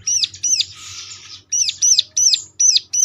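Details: Lure song of the ciblek (bar-winged prinia), meant to trigger answers from other ciblek: loud, sharp, high chirps with a hooked shape, broken once by a harsh buzzy burst, then resuming at an even, rapid pace.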